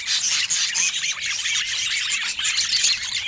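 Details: Budgerigar chatter: rapid, twittering high squeaks and chirps running together into a continuous warble, with occasional clearer whistled notes.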